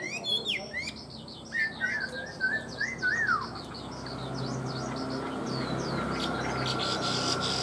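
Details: Caged tame Chinese hwamei in full song: clear whistled phrases and quick downslurred notes for about three seconds, then fading into steady background hiss.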